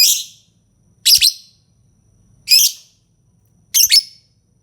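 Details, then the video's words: Lovebird repeating loud, harsh squawks roughly every one and a quarter seconds, each a rasping double-pulsed burst high in pitch, with quiet gaps between. "Suara burung lovebird"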